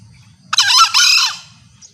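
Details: Female green junglefowl call, used as a hunting lure to draw males close: one loud, hoarse, harsh two-part squawk of about a second, the second part fading out, over a faint low rumble.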